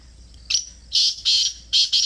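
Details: Black francolin (Francolinus francolinus) calling in Pakistan: four harsh, grating, high-pitched notes in quick succession, spaced about a quarter to half a second apart, over a quiet background.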